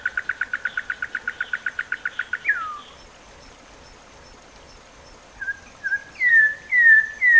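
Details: Campo troupial, a bird popular in Brazil, singing the canto Metralha style: a rapid machine-gun-like series of about twenty short repeated notes, a falling slur, then after a pause several rising whistles, over faint background hiss.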